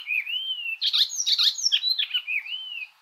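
Icterine Warbler singing a fast, varied medley: clear rising and falling whistles mixed with harsh, chattering notes, delivered without pause.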